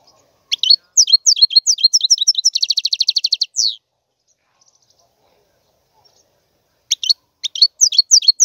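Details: Bright European goldfinch song: clipped high chirps build into a fast, rhythmic trill. After roughly three seconds of silence, another burst of sharp twittering notes follows.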